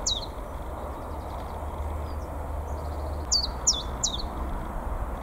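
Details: A common chiffchaff in full song on 22 March 2022 in North East England, among the first returning migrant warblers, gives a few short, high, downward-slurred notes, loudest near the end, over a steady low rumble of distant traffic or wind.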